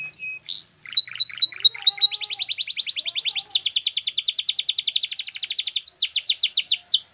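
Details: Song of a Belgian canary: opening scattered chirps and a brief steady whistle, then a long run of quick high repeated notes that shifts tempo and pitch several times, ending in slightly slower rolling notes.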